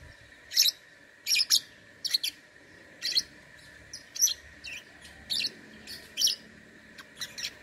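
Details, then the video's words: Online contest lovebird from Singkawang, West Kalimantan, singing: sharp, scratchy high chirps delivered singly and in pairs at fairly regular intervals of under a second, over a faint continuous hum. "LOMBA LOVEBIRD ONLINE 4 - Aksi LoveBird"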